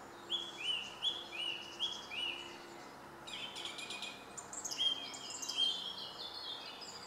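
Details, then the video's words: Song thrush in song: a clear rising note repeated four times about every 0.4 seconds, followed by a burst of dense, scratchy high twitters and a final whistled phrase, over light background noise. "Grive musicienne"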